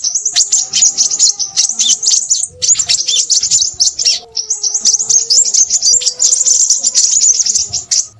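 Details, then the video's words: Lively, high, scratchy twittering from a Crimson sunbird, delivered in rapid bursts of a second or two. Faint low tonal notes, like distant cooing, sound underneath. "burung sepahraja ribut"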